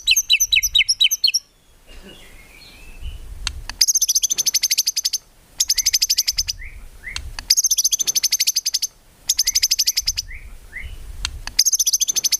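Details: White-rumped shama, actively singing in a recording meant for training songbirds, rich in 'tembakan' with no 'ngukluk'; an opening burst of fast notes, then high buzzy rattling trills repeated about every two seconds between quieter soft notes.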